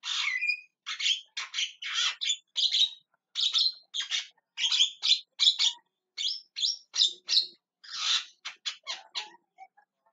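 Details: Calling Javan myna (jalak kebo) delivering a steady stream of harsh, scratchy squawks and chatters, roughly two or three notes per second, loud and continuous for about nine seconds.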